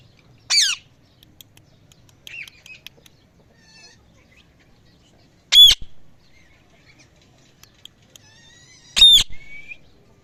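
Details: Evening parrot calls: sharp, loud squawks spaced several seconds apart, with faint twittering notes and quiet pauses between them.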